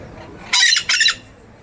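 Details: Two harsh, buzzy shrieks from a Scarlet-fronted parakeet (Psittacara wagleri), rough and broadband, separated by a brief gap, against a calm background.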